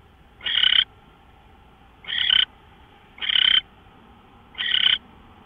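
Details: Owl recorded at 5:27 AM on March 24, 2013: harsh, raspy hissing bursts about a third of a second long, four in a row at uneven gaps of one to one and a half seconds, over a faint steady hum.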